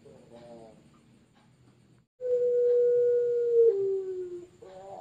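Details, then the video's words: Puter pelung, a competition Barbary dove from a champion line in Sragen, Indonesia: after soft low notes, one very long, steady, hollow coo held for about two seconds, then dropping slightly in pitch at its close. "PUTER PELUNG Trah Juara"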